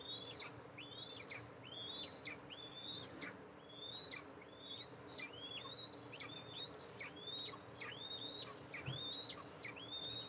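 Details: At an Eastern imperial eagle nest filmed by a nest camera on July 14, 2024, the mother arrives to feed her two eaglets. Thin rising whistles, each ending in a sharp downward flick, come about once a second over a background hum.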